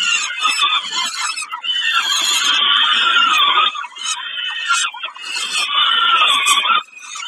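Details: Peregrine falcon feeding at Kawęczyn, dated 20 05 22: long grating, wailing squeals lasting several seconds each, with one brief pause in the middle.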